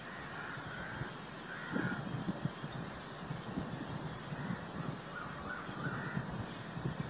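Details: Oriental darter on Kidangu Road, Thripunithura, giving harsh, hoarse croaking calls in short bursts every second or two, over steady high insect hiss and low background rumble.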